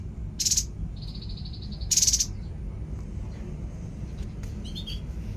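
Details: Babbler, known locally as tepus, recorded as birdsong tutor material. Two loud buzzy high bursts about 1.5 seconds apart, with a steady whistled note held between them. Faint further chirps follow near the end, over a low background rumble.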